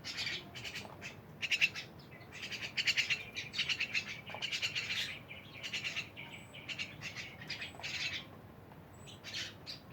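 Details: A lively group of mynas mixes harsh squawks, clicks and short chirps with occasional clear rising whistles, calls overlapping irregularly at moderate loudness.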